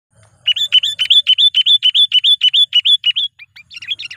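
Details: Sooty-headed bulbul (kutilang), a lively trained lure bird used to call wild rivals, giving a fast string of about fifteen bright, rising chirped notes, then a looser burst of varied twitters.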